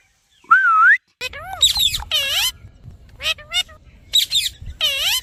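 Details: Parrot chirping: a clear whistled note that dips and rises, then a run of sharp, harmonic squawky chirps that sweep down in pitch, in quick bursts, over a low background rumble.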